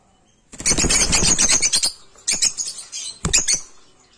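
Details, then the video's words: Shrill, harsh screeches from a rosy-faced (peach-faced) lovebird: first a dense burst of rasping chatter, then two shorter squawking bursts, with faint rustling or flapping underneath. "Birds of sounds/African love birds/peach face love birds"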